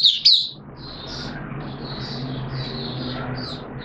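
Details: Caged oriental white-eye recorded 13 September 2022 while under monthly deworm treatment. Two sharp, loud chirps are followed by a quieter, continuous high warbling over faint low hum.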